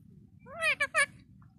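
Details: Pet parrot voicing three quick, nasal, speech-like syllables, rich in harmonics and rising slightly, over a low room hum; a woman coaxes it in Bengali just before and after.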